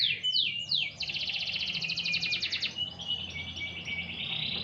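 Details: Canary being lightly sunbathed, singing three long downward-sliding whistles followed by a fast buzzy trill and steady warbling phrases, bright and high, with faint low background rumble.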